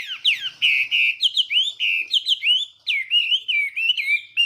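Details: Chinese hwamei giving a morning fighting song for voice training, meant to provoke singing: loud clear whistled notes, some held, some sliding up or down, linked into fast varied phrases, with short repeated figures near the end.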